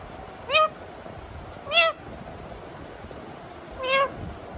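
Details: Indian ringneck parakeet kept as a pet copies a cat's meow: three separate short, bright, rising-and-falling miaows spaced about a second apart, with steady low background hiss.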